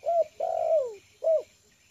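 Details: Close, loud cooing from a tame spotted dove trained for luring, settled on the yard ground: a rounded coo, a long smooth downward-sliding coo, then another rounded coo.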